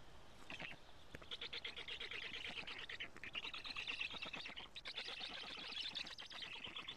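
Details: At a black stork nest in Karula, Estonia, filmed by a live camera on 25 June 2017 at 16:24 while a parent arrives with food: long, harsh, rapidly pulsing wheezes run almost unbroken, swelling and dipping over several seconds.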